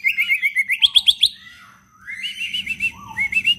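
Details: Kept green leafbird (cucak ijo) sings a full, varied song used to coax reluctant leafbirds into singing: rapid rising whistled notes in a quick series, a brief pause, then warbling trills and a falling whistle.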